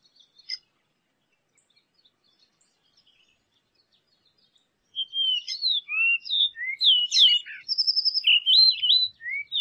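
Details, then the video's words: Variable oriole (encontro), a Brazilian wild bird, sings a rapid, varied string of clear slurred whistles, rising and falling, with a brief buzzy trill, after a few quiet seconds. "O CANTO DO PÁSSARO ENCONTRO"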